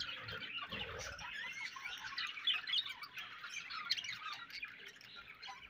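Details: Budgerigars chirping: a dense, continuous chatter of warbled, squeaky and scratchy notes with quick rising and falling twitters, steady throughout with occasional louder squeaks.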